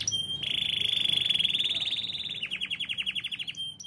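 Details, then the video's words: Canary singing a fast rolled trill: a long, steady high buzzy roll of rapid repeated notes, then switching to a slower series of sharp descending pips, with a faint low hum behind. "KENARI SUARA TING TING GACOR"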